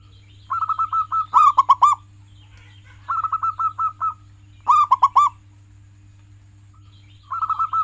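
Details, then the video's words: Zebra dove (perkutut), local type, singing vigorously to encourage pet doves to sing: repeated phrases of rolling trilled coos, each ending in a few louder ringing notes, roughly every three seconds, over a steady low hum. "Masteran perkutut lokal gacoran, pancing dengan suara ini agar perkutut jadi gacor"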